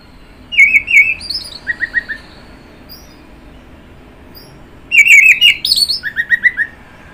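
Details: Orange-headed thrush (anis merah) song in two bursts: rich whistled phrases each followed by a quick series of four or five sharp, repeated notes. A quiet pause lies between the bursts, with no other noticeable sounds.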